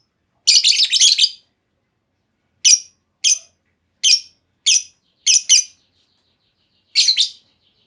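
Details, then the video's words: Female lovebird call used as a lure for long trilling: an opening burst of rapid shrill chatter, then a series of clipped high chirps spaced roughly half a second to a second apart. "Pancingan Burung Lovebird Betina! Bakal Langsung Respon Lovebird Segala Kondisi Auto Ngekek Panjang"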